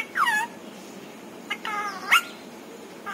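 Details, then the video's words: Pet parrot that imitates a meow among its words; soft whiny falling and rising tonal syllables, one short click, then a higher sharp squeal. "छोटू मिट्ठू की प्यारी बातें"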